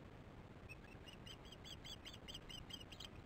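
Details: Osprey calling in alarm at its nest during a troubled chick feeding, evening of 22 July 2015, webcam: evenly spaced, shrill, slightly downslurred whistles, about two per second, over low steady rumble.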